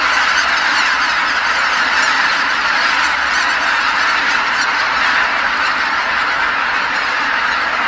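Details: Tens of thousands of geese returning together to Kabukuri-numa marsh at dusk after feeding, after sunset; a dense, continuous chorus of overlapping honking calls fills the air without pause, forming a steady wall of sound.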